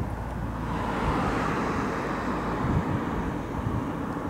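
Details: Continuous roar of traffic, possibly with an aircraft overhead, and no animal calls.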